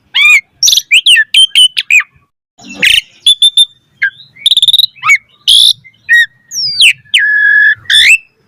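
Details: Asian pied starling varied song for training other starlings: quick chirps, clicks and whistles, then a long flat whistle with a rising tail near the end.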